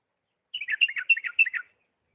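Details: Bulbul song, a Diyala bulbul in refined 'lisanat' style: a rapid burst of warbled, chattering notes lasting about a second, clean with no other sounds.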